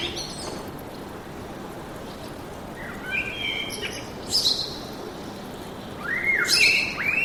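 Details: Birds singing in woodland: clear whistled notes sliding downward, mixed with higher twittering bursts and fast chatter, over a steady background rush.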